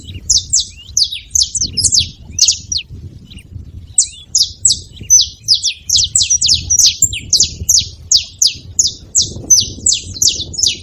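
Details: Saffron finch delivering fast, high, sharply falling chirps, roughly three per second, with a short pause near second three before a long even series resumes.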